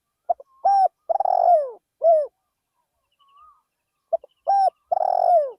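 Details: Decoy spotted dove in a rice field, cooing: a phrase of short stuttered notes, a level coo, a drawn-out burry descending coo and a closing coo, repeated after a pause. A faint distant whistle in between.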